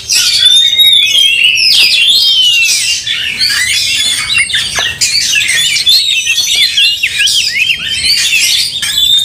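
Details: Angry white-rumped shama singing while fighting, with the tail spread: a continuous torrent of varied whistled notes, buzzy chatters and sliding phrases, loud and hurried, briefly dipping around the middle.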